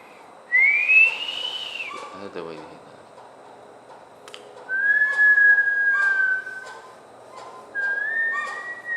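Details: Bush stone-curlew at Gold Coast, Australia, with people nearby: a rising whistled wail, a short human voice, then two more long, level mournful whistles.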